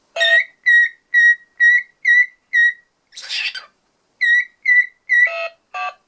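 A cockatiel copies electronic toy-phone beeps: a run of six clear, evenly spaced whistled tones, a brief harsh rasp, then more beeps mixed with squawky notes.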